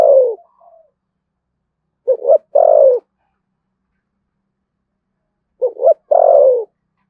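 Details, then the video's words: Cooing spotted dove, thổ sấm voice style, Thúc Gù, from Đồng Nai, Vietnam: a fading coo, then two widely spaced phrases, each a quick double note and a slurred downward coo. "cu gáy giọng thổ sấm Thúc Gù bài bản chuẩn nhất Đồng Nai"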